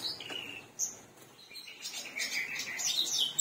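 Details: Black-browed reed warbler singing vigorously, a varied high chattering run of scratchy notes and short whistles that starts sparse and becomes a dense, buzzy, rapid warble in the second half.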